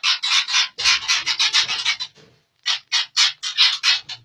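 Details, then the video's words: Murai aceh, a white-rumped shama described as of super quality, delivering a fast series of harsh, rasping bursts repeated several times a second, broken by a short pause before the burst sequence resumes. "Inilah Murai aceh dengan kualitas super"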